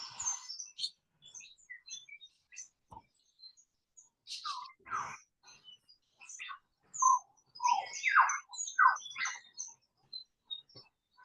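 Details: Lyrebird giving a weird, gurgling run of liquid notes, sharp chirps mixed with quick downward-sliding warbles in uneven bursts, quiet background; recorded in a misty, foggy Australian forest full of lyrebirds.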